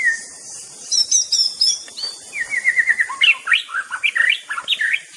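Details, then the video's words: White-rumped shama, known for imitating other birds' voices, singing a dense run of varied notes: a brief whistle, high twittering, a rapid repeated chip series, then quick looping whistled phrases; steady hiss behind. "bird nature sound murai batu"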